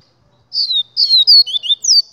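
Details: Double-collared seedeater singing a short, loud phrase of clear, high whistled notes, several falling and one rising slur, delivered in quick succession after a brief pause, with a quiet background.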